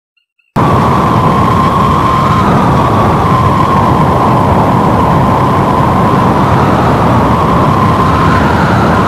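After a moment of silence, a loud continuous roar of howling wind takes over, with no animal calls heard.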